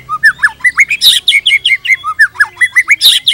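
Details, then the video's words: White-rumped shama in captivity giving rapid repeated whistled notes about five per second, rising and falling slurs mixed with sharp high chips, continuous and lively. "PANCINGAN GACOR !! MATERI mewah cocok untuk masteran semua jenis murai | shama bird"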